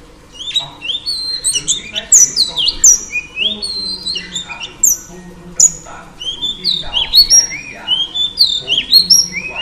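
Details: Singing female oriental magpie-robin, used to excite male birds: loud, rapid phrases of rising and falling whistles mixed with very high piercing notes, a rich and restless stream without long pauses.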